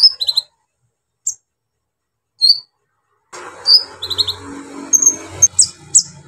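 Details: Brown-throated sunbird singing to provoke other sunbirds: a few isolated high chirps with long silences, then a denser burst of trilled high notes over background noise.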